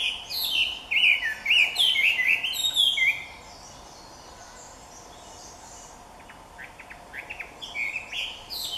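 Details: Chinese hwamei singing in front of the observer at Jike Furusato village, Japan: loud, rich, varied whistled phrases slurring up and down, a fast burst, a brief lull, then more phrases.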